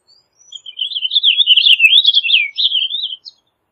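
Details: Purple finch: a few faint high notes lead into a sustained, fast-paced warble of liquid, wavering notes, rising and dipping repeatedly for nearly three seconds, closing with a short final note.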